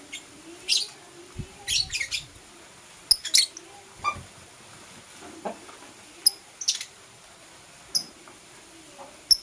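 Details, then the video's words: Blue opaline and parblue euwing opaline lovebirds in the morning giving sharp, very high chirps in short isolated bursts, some doubled, separated by quiet pauses of one to two seconds, with faint low handling noise. "Lovebird Chirping Sounds"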